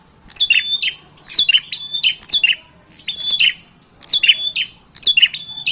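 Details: Repeated high chip-and-buzz phrases from a chattering bar-winged prinia, about one phrase per second, each phrase a bright descending chirp followed by a flat buzzy tail. Faint hum behind.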